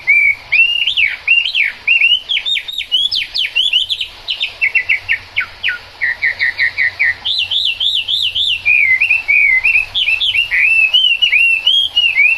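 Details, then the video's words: Chinese hwamei singing in the rain, a continuous loud stream of clear whistled notes, quick trills, and repeated rising-falling phrases, delivered with great variety and barely a pause. "Họa mi hót trong mưa"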